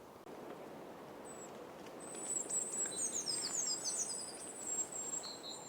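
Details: Tits, mostly, give alarm calls at a passing sparrowhawk: a burst of very high, thin, overlapping seee notes from several birds at once, over a steady rushing background hiss.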